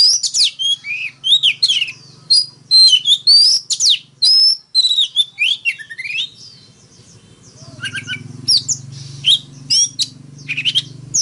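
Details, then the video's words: Fighting song from an Oriental magpie-robin, full of fast whistles, squeaky slurs and clipped chirps; in the later part a low, steady rumbling hum runs beneath sparser notes. "Choè than hót múa . Tiếng than mồi hót đấu .kích choè than hót sáng"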